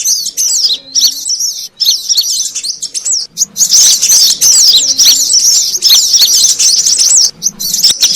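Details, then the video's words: Brown-throated sunbird lure call, a busy recording meant to draw birds together: dense, high-pitched twittering with rapid zigzag chirps, broken by short gaps near the start and becoming a near-continuous chatter in the second half. "SUARA PIKAT KORLAP RIBUT"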